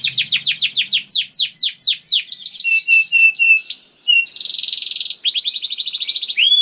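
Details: Young canary singing to trigger song in other canaries: falling whistled notes, level repeated whistles, a harsh buzzy burst, then a fast rolling trill and rising whistles.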